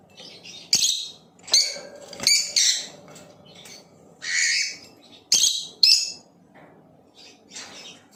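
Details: Blue Opaline lovebird chirping and singing: harsh, shrill chirps and squeaky notes in irregular groups over about eight seconds, with a low hum in the background.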